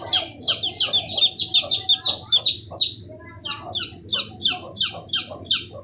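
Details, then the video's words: Chicks fifteen days old give rapid, high-pitched downward peeps, a dense overlapping chorus at first, then evenly spaced single chirps roughly three per second over a soft low hum. "The 15 Days Hen Baby Chick's 🐥🐣 | Original Sound Effects"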